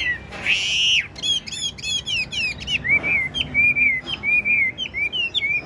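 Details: Chinese hwamei in a cage: a long drawn whistle, then a fast stuttering trill, then a string of bright repeated slurred notes.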